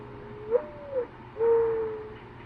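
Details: Mourning Dove in a Vermont backyard giving soft, low, hollow, owl-like coos: a brief rising note that slides down, then a longer steady mournful coo; this cooing goes on all day.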